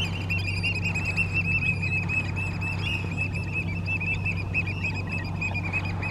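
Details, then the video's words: Black oystercatchers meeting at Hopkins keep up a shrill, continuous high piping that wavers in pitch, over a steady low rumble like a running engine. "Black Oystercatcher Meeting"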